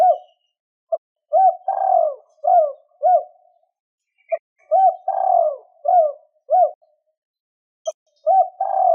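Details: Repeated spotted dove coo phrases in the two-tail-note style for luring wild doves. A brief hoot and a long sliding coo are followed by two clipped hoots, and the pattern recurs about every three seconds.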